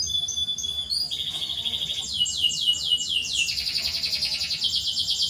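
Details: Canary song for tutoring canaries that hardly sing: soft whistled notes open into rapid trills, then a series of repeated downward sweeps and a dense high rolling trill, somewhat distant, with steady low background noise.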